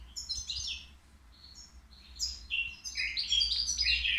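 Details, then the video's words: At the Qriaa bird market, a caged three-year-old European goldfinch with a song described as error-free gives high tinkling chips, then louder overlapping buzzy twitters climbing to a dense, energetic finish. "الموقنين بدون أخطاء"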